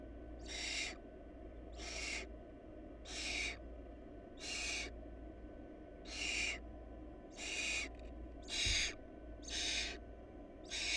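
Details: Barn owl chicks whose family lacks food produce a series of breathy, noisy screeches, nine bursts in eleven seconds, coming faster toward the end, with low steady hum behind.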